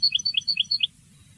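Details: European goldfinch tutoring song for young birds: a short phrase of about six clear chirps alternating between higher and lower notes, then quiet with a soft background hum.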